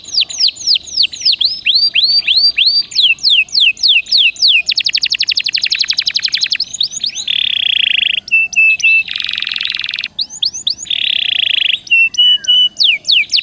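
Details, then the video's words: Varied gacor dor nembak song from a canary (Serinus canaria), used for prompting: falling and rising whistled slurs, a very fast rattling tour, then buzzy trills and sharp repeated chips, continuous and loud throughout. "Suara Burung Kenari Gacor Dor Nembak Untuk Pancingan"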